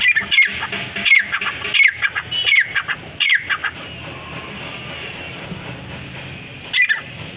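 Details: Francolin (irani teetar) calling. Harsh, squawking notes repeat roughly every 0.7 seconds for about four seconds. After a quiet stretch with background hiss, a single call follows.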